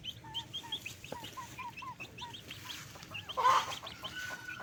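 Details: Backyard chickens at daytime feeding: a run of curved, slightly falling notes in quick succession, then a louder rasping burst and more scattered calls from the flock.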